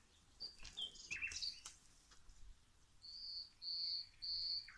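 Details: Garden birds singing as plants are watered: a burst of sharp high chirps, then three drawn-out, clear, even whistles repeated roughly every half second, over quiet background hiss.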